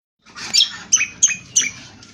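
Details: Indonesian honeyeater giving rough twittering ngriwik kasar song, used for training birds: four sharp, high chirping bursts about a third of a second apart, each dropping quickly, with a soft scratchy twitter between them.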